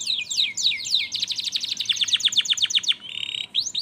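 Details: Canary lure song meant to get stalled canaries singing: loud, fast rising-and-falling trilled sweeps, then a rapid run of short repeated notes, a brief buzzy note and a final rising sweep.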